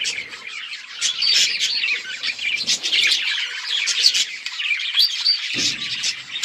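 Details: Steady budgerigar chirping: bright, rapid tweets and scratchy warbles pile over one another, with a brief low thump near the end.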